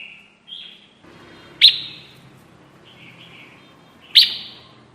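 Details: Red-whiskered bulbul trapping lure call: two loud, sharp chirps about two and a half seconds apart, softer warbling phrases between, over a steady low background hum.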